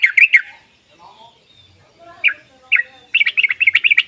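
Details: Yellow-vented bulbul call used as a lure to coax silent bulbuls to sing: a short chattering burst, scattered single notes amid faint background chirps, then a final quick run of bubbling notes.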